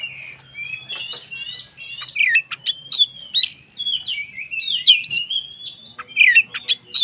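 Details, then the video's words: White-rumped shama in loud form, song used to provoke other shamas into singing; dense run of twittering, sliding whistles and sharp chattered notes, steady throughout. "SUARA BURUNG Kacer gacor untuk PANCINGAN KACER agar EMOSI dan KONSLET"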